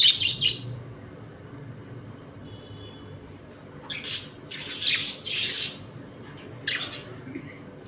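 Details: Budgerigars of a home colony eating, playing and squabbling; loud, broad, rasping squawks, one at the start and a tight cluster near the middle, then a single later burst, with quiet room hum between.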